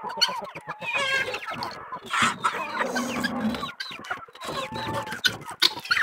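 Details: A flock of rural Brazilian chickens keeps up dense clucking and squawky cackles, many birds overlapping, with a drawn-out low call in the middle and sharp clicks scattered across the clip.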